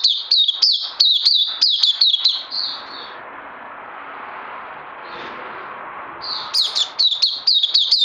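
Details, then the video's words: Oriental white-eye on 31 May 2020 gives bursts of rapid high chirps, roughly four per second, separated by about four seconds of quiet hiss before the twittering returns. "Puteh Crazy LG"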